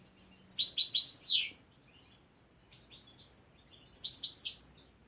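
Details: European goldfinch, a bird of the year still learning song from a recording, gives a quick run of sharp, high tinkling notes ending in a downslurred trill, then after a gap of about two seconds a second short twittering phrase.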